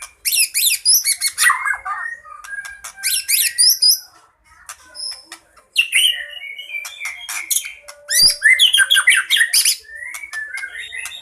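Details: Song of a fighting white-rumped shama, full of fill-in phrases and used to lure birds: loud bursts of high rapid notes and rolling whistles, broken by brief pauses, with varied chattering phrases throughout.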